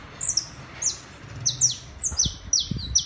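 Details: A saffron finch of a tame pair on a city terrace sings spaced high, falling chirps that speed up toward the end, with occasional low knocks.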